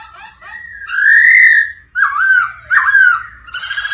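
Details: Black-throated laughingthrush singing and dancing while excited by a female's rolling 'ro ro' call: a long, loud, drawn-out whistle, then shorter wavering whistled phrases with harsh overtones and a brief chattering ending.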